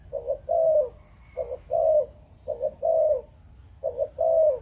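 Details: Malaysian breeding-strain spotted dove repeating its 'chụp chụp ô' coo: four evenly spaced low phrases, a stuttered double note then a long sliding coo, about every second, with faint high chirps.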